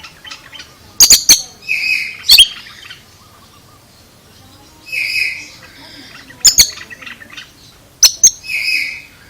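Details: Oriental magpie-robin making an unusual sound: loud harsh double notes alternating with buzzy, mid-pitched whistled phrases repeated several times.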